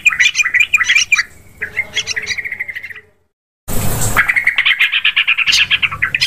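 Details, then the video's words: Yellow-vented bulbul calls played as a hunting lure meant to draw in many kinds of birds; lively rapid chirping phrases, a short silence, a burst of rustling noise, then more dense chattering. "Suara pikat burung trucukan"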